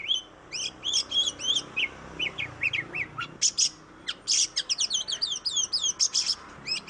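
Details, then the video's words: Oriental magpie-robin singing as a lure to get other birds to sing: whistled slurred notes at first, later dense rapid trills and scratchy bursts, with a faint low background hum. "Suara burung kacer Kacer ngoceh Kacer gacor"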